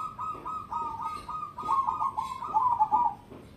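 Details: ['Competition-grade cemani zebra dove in a long, unbroken rolling coo lasting about three seconds, full of quick stutters and gurgling pulses, growing louder toward the end.']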